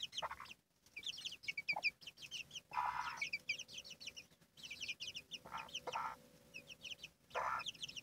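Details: Hen and her chicks: bursts of high rapid chick peeping broken by pauses, low occasional clucks, and several loud rustling or scratching noises.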